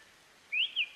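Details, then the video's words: A Black-faced Tanager (sanhaço-de-coleira) sings two quick, clear whistled notes that rise and fall, with the start of a third at the end, over a faint hiss. "CANTO DO SANHAÇO-DE-COLEIRA"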